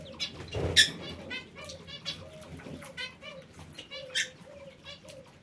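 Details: Parakeets in an aviary giving harsh, buzzy chattering calls in short repeated bursts, several birds overlapping, with low rumbling background noise.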